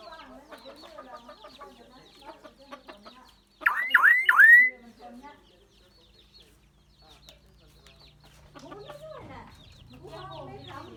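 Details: Common myna calling in many voices, a bird that can learn human speech: busy scratchy chatter, a burst of three loud hooked whistles, then quieter nasal phrases over a low steady hum.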